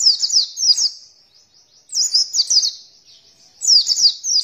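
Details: Song of an Oriental white-eye, used as a stimulus so birds open their beaks and sing, given as three short bursts of quick, very high, zigzagging twitters separated by brief gaps.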